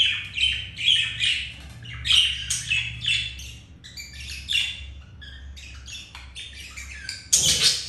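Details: Pet budgies during mating, male with female after rejection by another hen; rapid scratchy warbles and chirps, quieter mid-clip, ending in a loud harsh burst, low hum underneath.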